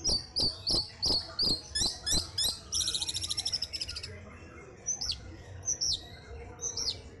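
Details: Caged Orange-headed thrush kept as a pet, singing shortly before a songbird contest: a run of sharp high repeated notes about three per second, then a fast buzzy rattle, then scattered upslurred whistles.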